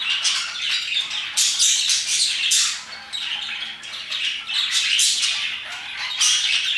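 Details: Around 2pm a flock of parakeets keeps up loud, overlapping chirps and scratchy squawks, the chatter swelling in bursts and briefly softening midway.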